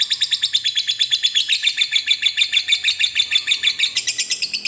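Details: Lovebird in long ngekek chattering song, played to encourage other lovebirds to sing; loud, raspy high notes repeated in a quick even stream with slight rises and falls in pitch.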